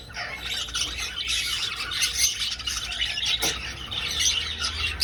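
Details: Many budgerigars in an old aviary, flying: a continuous raspy, chattering warble with harsh squawks mixed in and one sharp, loud squawk standing out partway through.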